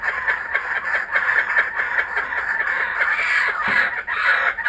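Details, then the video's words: Kookaburras back in a garden, giving a steady, dense chorus of harsh cackling notes with little pause, rising slightly in loudness toward the end. "Our Kookaburras are back"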